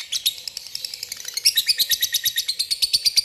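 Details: Lovebird calling a rival in the ngetik ngekek gacor style: rapid, high, sharp chirps in a continuous chatter, about three per second, growing louder and denser midway through.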